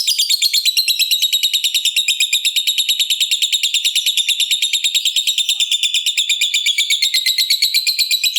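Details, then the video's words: Fighter lovebird in the long 'ngekek panjang' trill, meant to stimulate other lovebirds: a sustained, very fast, buzzy rattle of high notes, about three per second, running unbroken throughout with slight rises and falls in pitch. "Lovebird Gacor Ngekek Panjang"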